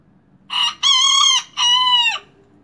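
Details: A young miniature rooster that has just begun crowing marks territory with a three-part crow: short first note, long sustained middle note, then a falling final note, all bright and harmonic.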